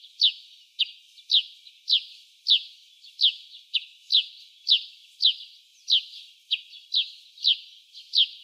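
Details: A Eurasian tree sparrow sings in early spring, a steady rhythmic, repeated run of short, bright, slightly falling chirps, about two each second, taken to be song; nothing else heard.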